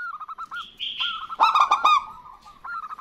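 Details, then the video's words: Local zebra dove pair, female and male answering each other; soft quick notes lead into a loud cluster of rolling cooing notes, with a brief higher, slightly buzzy sound before it. "Perkutut Lokal Gacor Betina Dan Jantan Bersahutan"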